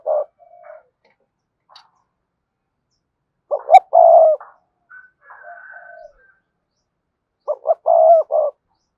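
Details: Cườm sa coo of a Spotted dove, meant to make other doves coo fast. Three low phrases with quiet murmuring between them, each a quick double note followed by a drawn-out steady hoot. The first phrase is cut short.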